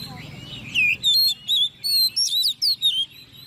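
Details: A caged 10-month-old Oriental magpie-robin in competition singing gives a rapid run of varied, clear whistled phrases, high and sweet, about seven short bursts in under four seconds with brief pauses between.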